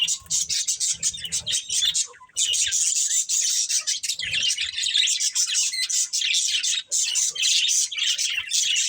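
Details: Budgerigars from a breeding pair warbling in an unbroken, busy stream of high, buzzy chirps and twittering.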